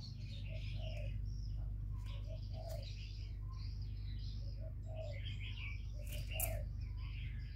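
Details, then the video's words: Spotted dove decoy cooing during a contest with a wild bird; low, soft coos spaced unevenly through the clip beneath constant high twittering of small birds and a couple of sharp clicks. "Tiếng cu mồi lỡ gù đấu bổi"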